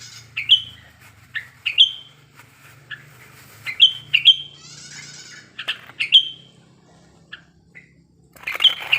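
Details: Lure song from a wild male sooty-headed bulbul in breeding condition, meant to provoke other bulbuls into singing. Downslurred whistles come singly and in pairs at irregular spacing, with a brief buzzy phrase and a closing chatter.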